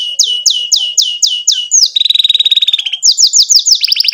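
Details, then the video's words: Canary giving long 'gacor' song, 'cuit cuit' and 'ngerol' rolls, for young canaries to learn from: six swooping whistles about every quarter second, a buzzy even trill, then quick descending high notes. "KENARI GACOR PANJANG CUIT CUIT NGEROL NEMBAK"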